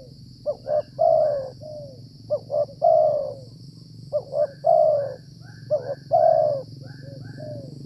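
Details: Wild Spotted Dove (tekukur), likely the dominant local male, calling during rainy-season decoy trapping: four repeated phrases of paired quick notes, a long resonant coo and a falling end note, against low rumble and a steady high-pitched hum.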